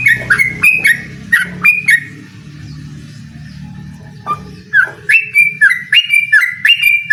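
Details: Yellow-vented bulbul singing to challenge a rival: bursts of quick bubbly whistled notes at the start and end, separated by a quieter gap of low background hum.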